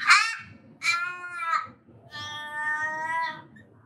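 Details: Australian raven, the highest-pitched and loudest of Australia's ravens, gives its three-note call: three harsh, nasal, high-pitched caws, the first two short and the last a long, drawn-out wail that fades away, as if asking itself a question and answering.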